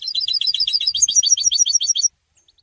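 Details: Goldfinch song: a loud, continuous, rapid trill of bright, high, jingling syllables running about two seconds without pause, slightly varying in pitch, then sudden silence with a few soft chirps.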